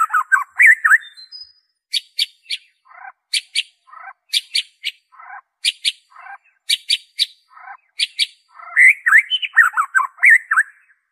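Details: Pure white-rumped shama song used to provoke caged and wild birds into singing: varied whistles at first, then a regular alternation of sharp clicky high notes and lower buzzy notes, closing in rich warbling phrases.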